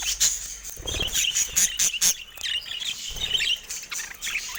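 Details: Budgerigars kept in a cage, pecking at a camera; thin high chirps and a steady warbling twitter run under repeated soft tapping and rustling noises.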